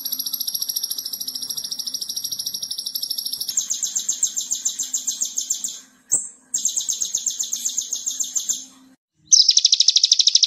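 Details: Konin gacor masteran with full tembakan for training other birds: long steady high trills of tightly packed pulses, one pitch change, a brief whistle, a pause, then a harsh loud pulsing run.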